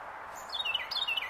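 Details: A Carolina wren perched on a branch in Pennsylvania in January 2024 sings two quick phrases of bright, downslurred whistled notes, each phrase rolling over in under half a second, above a steady low hiss.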